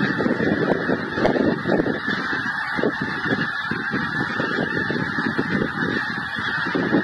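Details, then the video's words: Geese on migration honk together in a thick, unbroken chorus, individual calls jostling and overlapping over a low rumble. "Migrating Geese"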